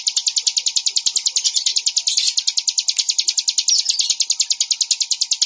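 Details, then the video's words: A bar-winged prinia sings a fast, unbroken run of high, sharp chipping notes, roughly ten per second, over a faint steady hum. "suara burung ciblek"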